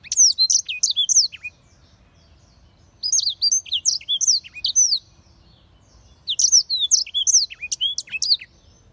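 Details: Black-throated canary singing three bursts of rapid, high, sweeping whistled notes and trills, each phrase lasting about one and a half seconds with short pauses between, over a quiet background.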